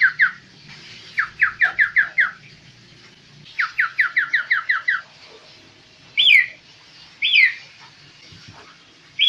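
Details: Kaso-kaso bird, tame and in full song, giving quick runs of repeated clear chirps, five or six notes per burst, followed by single sharper twittering notes, over a faint low hum.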